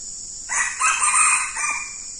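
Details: Wild red junglefowl crow, answering a decoy male used for luring: a short harsh rising-then-level crow lasting about a second and a half, over a steady high insect drone.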